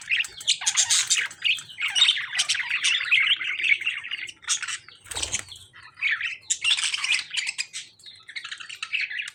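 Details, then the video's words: Lovebirds in a dangerous fight with budgies: dense, scratchy squawking and chirping in long bursts. A sharp thump or flap breaks in midway. "Lovebirds fighting with budgies"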